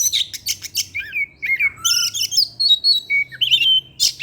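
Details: Oriental magpie-robin, a kacer used as a lure sound, singing in its evening session: rapid varied whistled phrases, sharp chips and sliding notes, busy and continuous, with bright high trills and a few lower whistles.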